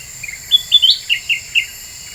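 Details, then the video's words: Black-winged bulbul singing a lure phrase meant to rile other birds: a clear high whistled note, a brief rising slur, then three short chirps spaced about a quarter second apart, over faint steady hiss. "Suara Pikat Kutilang Emas Super Gacor,,Bikin Burung Lain Pada Emosi"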